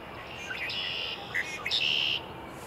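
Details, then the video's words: Red-winged blackbird singing its songspread on a cold April morning at the Cornell Arboretum: a short opening note, then a loud buzzy, rasping trill held steady for over a second, with faint background birds. "Red-Winged Blackbird's "smoking" songspread"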